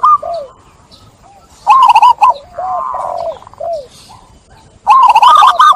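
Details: Zebra dove cooing used as therapy for stressed caged doves that stopped singing: soft falling coos, a loud quick stuttered phrase, a drawn-out hum, more arched coos, and a final rapid rolling burst.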